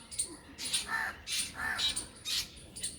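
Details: Black Drongo calling, harsh rasping bursts alternating with short clear whistled notes, about six calls over three seconds, with a squirrel also present in the recording.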